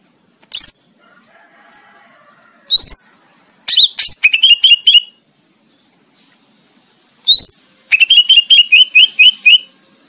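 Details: Greater green leafbird song for training competition birds: scattered sharp upslurred notes, then two long rapid trills of repeated whistled chips, separated by quiet pauses.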